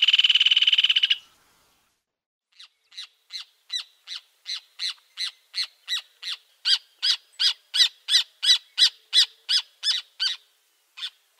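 Rufous Hornero: a harsh buzzy burst, then a long run of loud, ringing notes that speed up and grow louder, about three per second.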